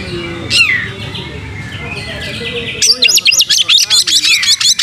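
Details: White-rumped shama, lively and tail spread, starts with faint scattered notes over background noise, then bursts into a fast series of sharp repeated high chips.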